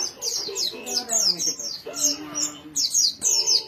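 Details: Small caged white-eye singing: high, rapid twittering phrases of thin slurred notes in bursts with short pauses, over a faint low background hum.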